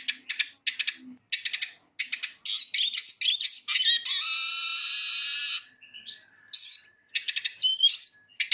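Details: Eurasian siskin song: quick chattering twitter and fast upslurred whistles, then a long, drawn-out wheezy buzz lasting over a second, followed by more stuttering twittering phrases.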